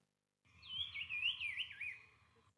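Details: A Brown-cheeked Fulvetta, the model species whose call drongos mimic, gives a high, wavering whistled phrase of about two seconds, sliding up and down, over a faint low hum.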